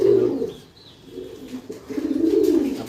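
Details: In the morning, a very aggressive domestic pigeon held in its owner's hand keeps calling and biting the hand, cooing in low, throaty, rolling phrases that swell and fade, while nearby pigeons also call loudly.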